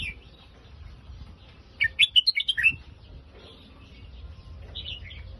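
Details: One bright warbled phrase from a red-whiskered bulbul, Phetchaburi-line style: six or seven punchy whistled notes within a second, rising and dipping, then a few faint chirps against low background noise.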